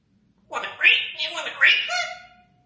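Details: Congo African grey parrot, a pet, talking in two quick speech-like phrases of rough, nasal, word-like syllables, each about a second long; no background noise.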